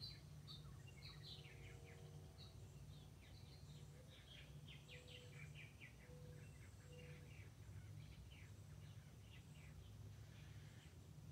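Purple Martins fuss with a steady scatter of short, gurgling chirps, several birds overlapping, over a low rumble of wind or distant hum.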